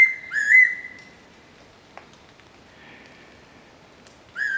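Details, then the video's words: Fairy pitta recorded in 2022, in the season when the species arrives, giving clear, pure whistled notes: a steady whistle, then a rising one, the phrase returning after a quiet gap of about four seconds. "ヤイロチョウ（Fairy Pitta）が鳴く"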